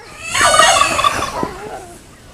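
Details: Courting turkey making funny sounds: a loud, rapid rattling gobble of dense stacked tones lasting about one second, then fading, with faint voices in the background.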